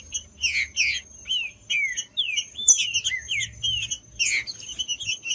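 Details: Green-winged saltator song, used by breeders to warm up a cold bird into singing for tournaments: loud slurred whistles, some rising and some falling, mixed with dense high chirps and a steady faint high tone throughout.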